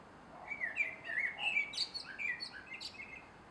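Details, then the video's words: Male common blackbird singing at dusk in a garden on 3 July 2016: a mellow, fluty warble of low whistled phrases, breaking into thin, squeaky high twitters toward the end, over a quiet background. "Male Blackbird Singing at Dusk"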